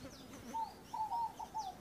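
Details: A Ruddy Ground Dove arriving at a water feeder to drink gives short, soft, steady mid-pitched coos, four or five in under two seconds, with faint high chirps of other birds behind.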